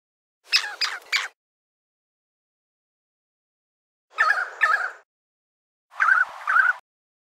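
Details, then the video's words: Brown thornbill vocal mimicry of other species: three short bursts of borrowed calls, each under a second, made of rich, warbling notes that bend up and down, separated by silent gaps. "Brown thornbill vocal mimicry"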